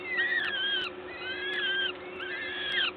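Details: At a Gdańsk peregrine falcon nest in Poland on 14 May 2022, as a parent brings food: three drawn-out wheezy cries, each arching and then falling, spaced about a second apart, over a faint hum.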